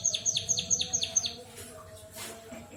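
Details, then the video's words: Imitating a canary, a white-headed munia gives six quick downward-swept whistled notes in an even rhythm, then falls silent except for faint low hum. "Burung Emprit Kaji Gacor Bersuara Burung Kenari"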